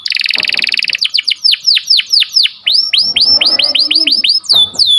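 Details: Atlantic canary singing sharp rolling chirps meant to train and stimulate breeding canaries: a fast high buzzing trill opens, followed by a steady series of clear downward-swooping whistled notes and a final descending slur.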